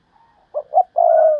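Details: Decoy spotted dove, described as an exceptional singer: two short, low, husky notes followed by a drawn-out, steady, mellow coo that trails off slightly at the end, after a faint murmur at the start.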